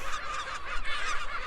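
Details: Gull colony nesting among Magellanic penguins on Magdalena Island near Punta Arenas, Chile, in January: harsh, honking calls from many birds overlap without pause, likely protecting nests, over a low rumble of wind.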